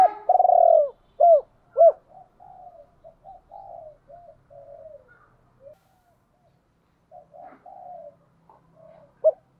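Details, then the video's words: Decoy spotted dove sings a hai hậu coo. A loud buzzy falling coo and two arched hoots open the phrase, then quieter broken murmurs follow, ending with a final short hoot. "Chim Cu Mồi cu moi chuan gáy gọi hai hậu mới nhất"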